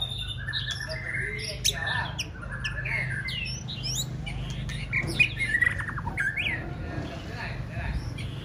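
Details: Contest-training white-rumped shama giving a varied, fairly quiet song. It mixes short chips, slurred whistles and a few harsh notes, with irregular pauses, over a steady low hum.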